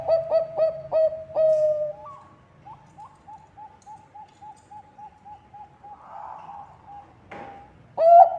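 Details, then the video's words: Lure song of a Bangkok-type zebra dove meant to start other doves singing: five loud hollow coos and a long tone, then a long train of faint, evenly spaced soft notes, with a clattering noise before a final loud coo. "Perkutut bangkok gacor suara cocok untuk pancingan"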